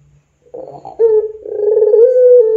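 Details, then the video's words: Puter pelung dove used as a training lure: after a short silence, a rolling gurgled note leads into a steady low coo that is still held as the recording ends. "SUARA PANCINGAN PUTER PELUNG GACOR COCOK UNTUK MASTERAN PUTER PELUNG apapun"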